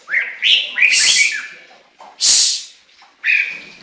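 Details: Chinese hwamei singing loud, varied whistled phrases that slide up and down, broken by sharp, hissy high bursts, with short pauses between phrases.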